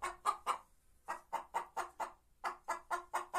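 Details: White Leghorn hen song: groups of three to five quick, throaty clucks separated by brief pauses.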